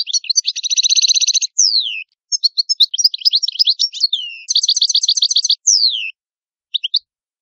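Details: European goldfinch, Italian, singing continuously: a dense buzzy trill, descending slurred whistles, jumbled twittering, then another rapid trill and scattered notes.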